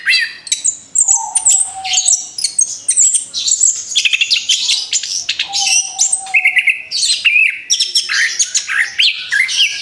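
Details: Orange-headed thrush recently finished moulting, singing for a training recording: nonstop stream of sharp rapid notes, high squeaky whistles and trilled phrases, with a soft steady tone beneath at times.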